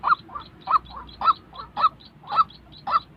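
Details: A white-breasted waterhen recorded for training decoy birds in trapping: six strong, croaking notes about every half second, each followed by a softer, lower note.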